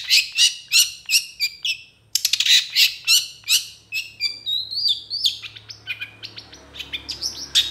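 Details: Long-tailed shrike in full, energetic tutor song rich in varied fill-in phrases, said to become agitated and answer other shrikes quickly; rapid bursts of sharp high chirps, then a descending run of thin whistled notes with scattered clicks.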